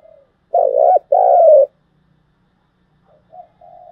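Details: Spotted dove cooing, a recording used to stimulate decoy birds for trapping: a low two-part coo, a short wavering note then a longer steady one, followed by soft fainter coo notes near the end.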